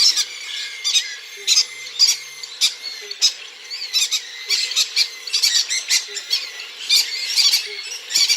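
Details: Three-week-old cockatiel hatchlings being hand-fed give harsh, raspy squawks in short bursts, about twice per second, with a soft low hum underneath.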